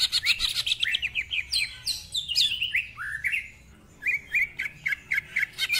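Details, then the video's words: Greater green leafbird, a lively caged singer, gives a rapid stream of varied slurred whistles and chattering notes, then after a brief gap a series of short repeated whistles. "Cucak Ijo Gacor Ngentrok Full Isian, Nembak Rapet Suara Kasar Isian Mewah"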